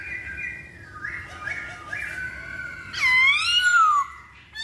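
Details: Masked laughingthrush lure audio: quiet, level whistled notes repeated a few times, then one loud, drawn-out slurred note that rises and falls.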